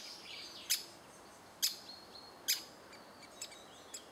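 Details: Great spotted woodpecker in June 2011 while adults fed chicks: three loud, abrupt 'kik' notes spaced nearly a second apart, then two fainter ones, over quiet background birdsong.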